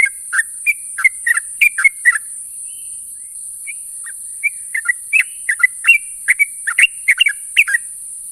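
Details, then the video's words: A sooty-headed bulbul calls to its companions in the morning with clusters of quick, liquid whistled notes, a sparse lull in the middle, then a lively renewed flurry; soft continuous hiss. "suara burung trucuk memanggil kawan di pagi hari"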